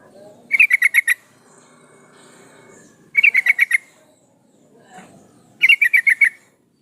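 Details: Yellow-vented bulbul female calling a male, used as a lure to get males singing; three short bursts of about six quick chattering pulses, roughly two and a half seconds apart, over a low steady background hum.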